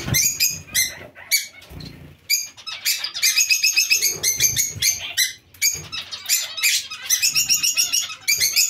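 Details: Zebra finches in a colony alongside Bengalese finches, calling busily: many short, loud, nasal, harmonic beeps in quick overlapping bursts throughout, with a few soft low bumps and flutters between them.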